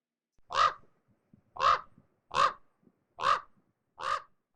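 Common Raven giving five hoarse, guttural croaks about once a second, each short and rough like a throat full of phlegm.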